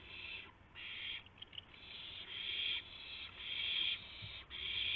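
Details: Owls near 5:50 AM, March 26, 2016, during prey deliveries of a gopher and a mouse; rasping hiss calls in uneven bursts, some long and drawn out, with a couple of brief clicks.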